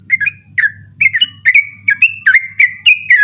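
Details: Yellow-vented bulbul singing a persistent 'ropel' style song at night, recorded as a tutor for night-contest birds: quick chains of bright whistled notes, each sliding down then flicking up, over a steady low hum.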